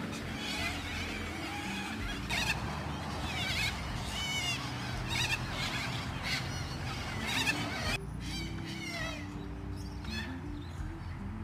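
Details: A noisy flock of Little corellas in Perth, Australia, screeches harshly, with overlapping raspy calls every second or so over a steady low droning background.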